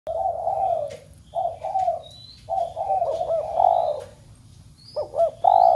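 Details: Spotted dove cooing to stir a group of captive doves at home into cooing: low hoarse coo notes in broken phrases, some with short looping upward notes, while thin high whistles from other birds sound behind.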